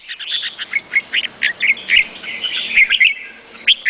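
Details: Red-whiskered bulbul song: a lively run of short, bright, slurred whistled notes, some rising and some falling, delivered in quick succession with brief gaps, followed by a final pair of clear notes.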